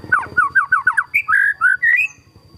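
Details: White-rumped shama singing energetically, packed with kapas tembak fill-in phrases: a quick series of bouncing whistled notes, then longer, smoother whistles that rise in pitch, over faint low rumbling.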